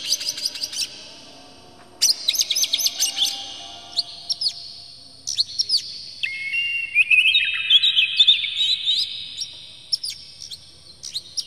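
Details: Oriental magpie-robin song meant to trigger other magpie-robins to sing, bird showing emotion with tail open: varied high whistles and harsh chatter, ending in a long rising and falling warbled phrase.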